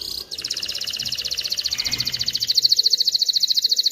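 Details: Canary song played to teach chicks to sing and prepare females for mating: a long, fast, even trill of high, rapid notes that starts abruptly and grows steadily louder over nearly four seconds.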